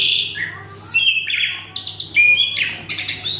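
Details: An agitated male Asian pied starling sings a rapid medley of bright whistles, buzzy blocks and upward-sweeping notes, loud and nearly continuous, over a faint low electrical hum.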